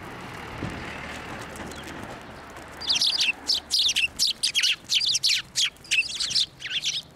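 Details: Sparrows coming to a hand to be fed at a Tenmangu shrine, 11 March 2024: quiet at first, then a steady run of loud, sharp chirps, roughly two each second, for the last four seconds.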